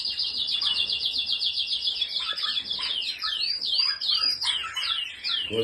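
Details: Canary of the Spanish Timbrado type delivering a fast metallic trill, then switching to sweeping whistled notes that rise and fall in loops; a brief low sound at the very end.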